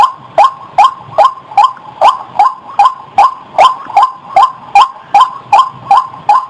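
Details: Lure recording of a White-breasted waterhen: evenly spaced, clipped croaking notes repeated roughly every 0.4 seconds, a regular mechanical rhythm throughout.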